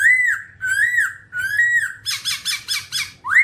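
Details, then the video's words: All-black babbler (Timaliidae) giving three loud, arched whistled calls with rich overtones, followed by a burst of harsh, rasping, pulsed notes and a final rising whistle. "birds Timaliidae singing"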